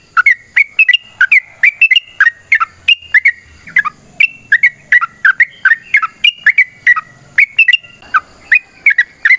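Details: Fighting song of a sooty-headed bulbul, sung at length to prompt other birds to sing: an unbroken stream of rich, warbling whistles with quick pitch bends, several notes per second, and a faint low hum beneath.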